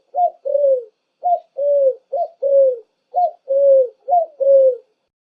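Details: Pigeon giving five soft two-part coos: a brief upward note, then a drawn-out falling hoot, repeated at an even pace about once a second.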